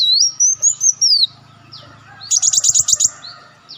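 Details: Olive-backed sunbird used as a lure: one sweeping high whistle that rises and falls, a brief pause, then a fast buzzy trill of about seven notes over a quiet low hum.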